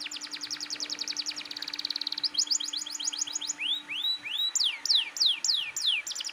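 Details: Canary singing hard to coax young canaries into song: fast rattling trills of high notes, a buzzy run, then looping rising whistles and steep falling sweeps, with a faint hum.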